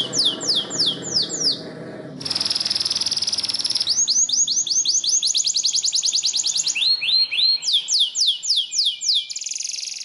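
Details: Yellow canary singing for training: rolling descending whistles, a steady high buzzy note, then a long even trill of repeated rising-falling notes and lower swoops.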